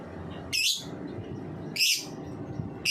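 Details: Ngetik song of a lovebird, played as a lure to get young lovebirds singing: two short, bright, high squeaky bursts about a second apart over faint background noise.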